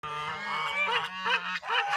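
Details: African geese on a farm, out grazing: nasal honking calls repeated about every half second over a steady low drone, with faint music in the background.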